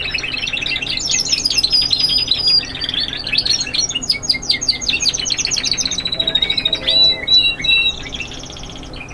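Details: Spanish Timbrado canaries, young singers, in classic continuous style: a long high trill-laden phrase of rapid repeated notes and sustained whistles, shifting through chattering rolls, with a brief low murmur near the end.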